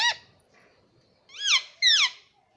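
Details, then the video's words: Pet green ring-necked parrot at home, said to say mitthu and mummy; a short clipped note, then two loud arched harmonic syllables in quick succession. "मिट्ठू मिट्ठू बोलेगा तोता _ मम्मी बोलने वाला तोता मैना _ parrot sound"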